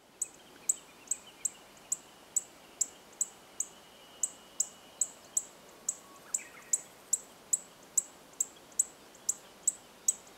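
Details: Chestnut-eared bunting (Emberiza fucata) at Oku-Nikko, Tochigi, Japan, calling with sharp, high ticking notes, about three per second in a steady series, over faint background hiss.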